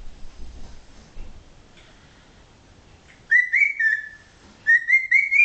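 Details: A 13-year-old pet male cockatiel that is still learning new words gives two loud whistled phrases, each a rising then level note with a slight warble, after a quiet pause; a person speaks softly earlier.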